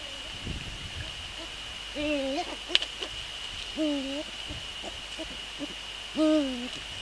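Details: Nest-preparing male Eurasian eagle-owl, evening of 29 January 2014, before a prey handover. Three harmonic calls with upward onset and slight downturn, roughly every two seconds, mixed with scratchy clicks and thumps from the nest and a steady electrical whine.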